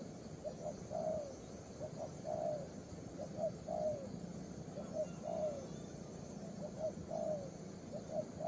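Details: Young spotted dove giving a long run of soft, low coos, paired short and falling longer notes repeated at a lively pace, with a low constant hum in the background.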